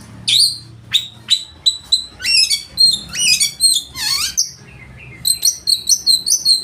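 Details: Oriental magpie-robin (kacer) singing loudly with a full, rich repertoire, meant to make rivals sing and fan their tails: sharp high whistled notes repeated rapidly, broken by dense buzzy trills and a swooping rasping phrase, then quick chiming notes.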